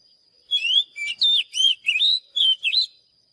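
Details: A strong, varied phrase from an Oriental magpie-robin: seven loud, swooping whistles, some rising and some dipping, in quick succession, with a thin steady tone behind them.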